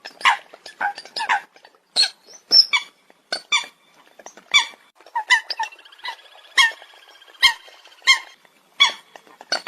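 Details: Coot producing short, squeaky, honking notes in irregular bursts, some rising and some clipped, with brief pauses between groups.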